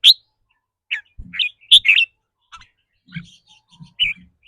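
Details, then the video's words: Caged red-whiskered bulbul, its rapid trilling said to depend on the day's mood. Sharp, sweeping chirps at irregular intervals, some paired, over faint low knocking sounds. "ริ๊กรัวๆ คือเรื่องปกติ"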